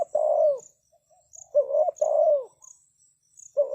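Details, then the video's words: Spotted dove decoy calling to lure wild birds, with mellow two-part coos, a short lead note then a longer downslurred one, and a quiet gap between phrases. Insects tick faintly high above. "Chim cu gáy chiêu kích mồi tập bổi nhanh nổi hiệu quả"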